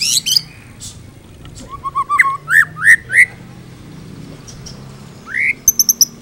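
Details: White-rumped shama singing a full repertoire for tutoring other birds: a few high chips, then a series of rising whistled notes that grow louder, a pause, one upslurred whistle and quick high ticks, over a low background hum.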